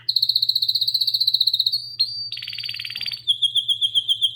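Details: Song of a canary: a fast, loud pulsed trill, a brief break, a buzzy churring burst, then a clear trill of evenly repeated slurred notes, with a faint low hum.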